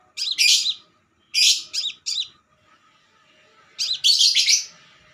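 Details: Lure song of a crimson sunbird: three dense bursts of shrill, buzzy, twittering high notes separated by brief silences, with a quiet background hum.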